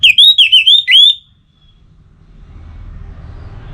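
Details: Orange-headed thrush, relaxed song: a quick sequence of five bright, looping whistled notes within about a second, then silence with rising low background noise.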